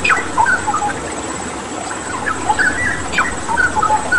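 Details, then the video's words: Cucak rawa (straw-headed bulbul) on a master recording for training pet birds, with water therapy sound; bursts of whistled, slurred notes, a brief quieter gap in the middle, then another lively phrase. "Masteran Cucak Rawa Gacor dengan Terapi Air"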